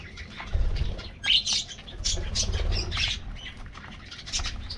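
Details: Aviary flock of colorful budgies at morning feeding, scattered sharp chirps and squawky notes rising above a low rumble, a couple of louder bursts early in the stretch.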